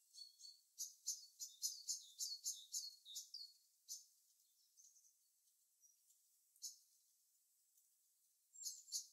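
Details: Bird calling in its natural habitat, a rapid burst of bright, high, clicking chirps for about three seconds, then quiet with a few scattered notes, and a final short burst.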